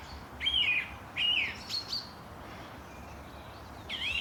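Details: Wild birds chirping in the morning at Langley Park, Durham: short bright chirps and warbled notes in scattered bursts, a few separate phrases over several seconds against a soft steady background hiss.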